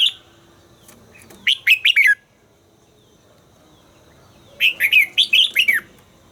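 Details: Red-whiskered bulbul in voice training delivers two lively whistled phrases, each a quick run of rising and dipping notes, separated by a few seconds of near quiet.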